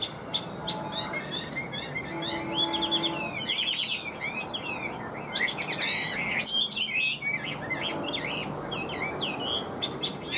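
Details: Tame caged Chinese hwamei offered for sale, singing continuously: a rich, fast run of varied whistled phrases, slurred notes and rapid trills, loud and unbroken through the recording.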